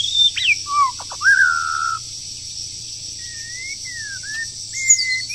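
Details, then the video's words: Moulting wild bird in breeding season giving clear whistles: a falling slur, short dips and a held note. After a pause it produces longer level whistles with small upward kinks. A constant shrill insect drone runs beneath throughout. "Chim Rừng Đang Thay Lông Mà Chíên Quá"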